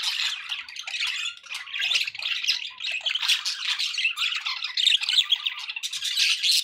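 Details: Constant budgie flock babble from pet birds: overlapping scratchy warbles, clicks and high chirps with no clear pauses.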